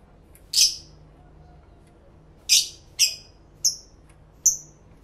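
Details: Lovebirds kept as pets, talking to each other and recorded in stereo with two external microphones, give five separate piercing high chirps, some harsh and broad, others thin and whistled, roughly one every second.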